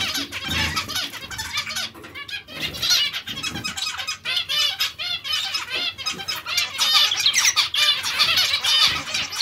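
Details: Zebra finches calling together in a dense chorus of nasal, harmonic beeping notes, many overlapping birds chattering continuously, with some soft low thumps and rustling.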